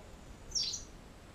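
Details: A white wagtail at a nest in a wall in Sofrino, 13 July 2014, flying in to feed, gives one brief, high, thin chirp sliding slightly downward over a faint low hum.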